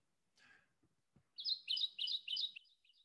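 A Kentucky Warbler sings a fast rolling series of four or five bright, two-part 'cherry' phrases. A faint rustle and soft thumps come just before.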